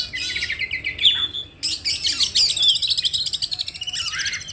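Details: Oriental magpie-robin used as a lure to provoke other magpie-robins into singing; rich, varied song of rapid repeated chirps, sweeping whistles and scratchy trills, high-pitched and continuous, with a low hum underneath.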